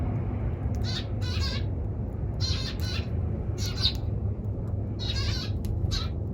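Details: Eurasian tree sparrow giving four clusters of short, harsh chirps in quick bursts, spaced about one to two seconds apart, over a steady low rumble of background noise.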